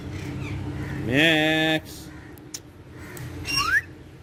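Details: Talking green ringneck parrot on a wall voicing a short word in a buzzy, speech-like tone, then after a pause one quick rising whistle, over low background noise.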